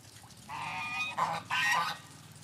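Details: Geese leaving their night barn at dawn call out, a drawn-out honk followed by two shorter, rougher honks close together.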